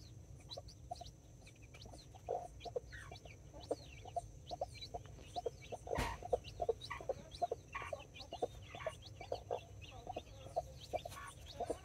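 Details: Backyard chickens in Colombia on October 24, 2024: two mother hens with nine chicks, four mini and five Brahma. Short low clucks sound in quick irregular runs, mixed with high thin chick peeps and one sharp knock midway.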